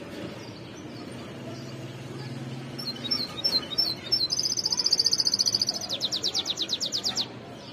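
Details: White-cheeked goldfinch singing: scattered high chirps and twitters build into fast, even buzzy trills near the top of the range, repeated in a rapid pulsing series, over a low steady background hum.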